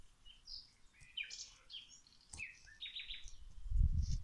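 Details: Birds singing outdoors while plants are watered: scattered high, short chirps and brief whistled notes from several directions, with a low rumbling splash rising near the end.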